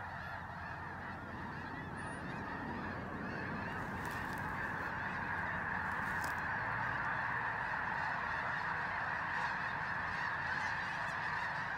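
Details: Thousands of snow geese fly in before dawn to join a resting flock at Bosque del Apache, San Antonio, New Mexico, on a freezing morning, recorded by phone; a dense, continuous din of overlapping nasal honks and yelps fills the air.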